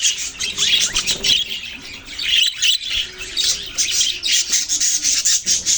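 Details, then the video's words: Budgerigars, Australian parrots, chatter loudly together. Dense raspy squawks and chirps overlap without a break, with brief dips between rapid bursts. "Birds chirping sounds Beautiful Australian parrots video"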